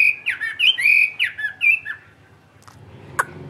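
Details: Chinese hwamei, a tame caged bird, sings solo at midday in the ngũ trường style: a short burst of loud looping whistles about two per second, then quiet with a couple of faint clicks.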